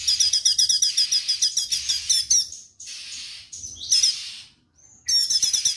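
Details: Straw-headed bulbul singing in full voice, a long rapid-fire string of piercing high chirps repeated several times a second, breaking off into hissing noise before a fresh volley starts at the end.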